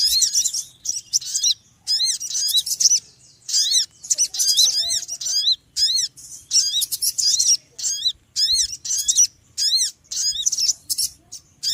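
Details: Long, relentless sequence of high, sharp chirp bursts from a noisy small bird, quick repeated down-slurred notes with short breaks, very busy and even.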